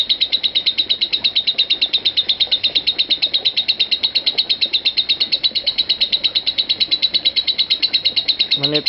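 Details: Lovebird giving a long 'konslet parah' ngekek, used as master audio for training lovebirds. Dense, piercing chatter repeats almost three times a second without pause. A faint low knock sounds at the very end.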